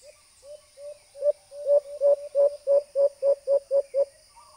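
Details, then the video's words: White-eared Brown Dove call used as playback for hunting: about fourteen low, soft hooting notes that start slow and quiet, then grow louder and speed into a rapid run before stopping. "huni ng katian 🔊 🔊 🔊 🔊 pangate/Sound white eared brown"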